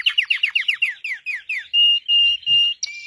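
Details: Red Belgian canary song phrase: about a dozen quick downward-slurred chirps in a row, then three long, flat, pure whistles and a final high bright note.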